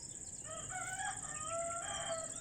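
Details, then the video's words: A talking parrot, probably a yellow or lutino Indian ringneck, gives a drawn-out, wavering, crow-like call lasting about two seconds over a steady high-pitched whine in the background. "Talking Parrots"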